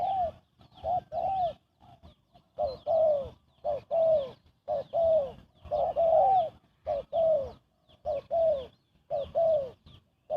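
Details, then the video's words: Rapid cooing of a spotted dove, used as a trapping lure; mellow two-part phrases, a clipped note followed by a drawn-out falling coo, repeating about once a second, with some unevenly spaced extra notes. "Chim cu gáy gù tốc độ"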